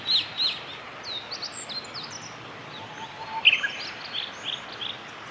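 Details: Male meadow bunting singing along a forest road in Japan, 1 May 2021: two clear high notes open, followed by scattered quick twittering phrases and a louder burst midway, against constant ambient hiss.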